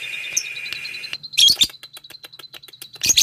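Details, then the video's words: Lovebird calling out to a rival, opening with a steady, thin sustained tone, then a harsh squeaky burst followed by a fast, regular stream of high chipping notes, closing with another sharp raspy outburst. "Lovebird Memanggil lawan"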